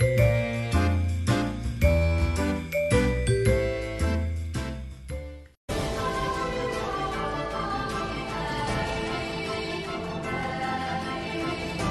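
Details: Jingling, bell-like music plays throughout, stopping briefly before a fuller musical passage begins; no animal voices are heard.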